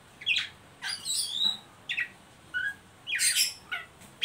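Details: Oriental magpie-robin ngeriwik calls for stimulating young birds to sing: grouped harsh, scratchy chatter bursts separated by short gaps, with a couple of brief clear whistled notes between them.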